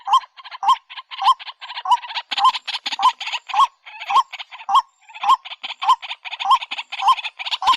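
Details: White-breasted waterhen call: regular hoarse, honking notes repeated roughly every 0.6 seconds, layered over dense, rapid, higher-pitched chattering that runs almost continuously through the recording.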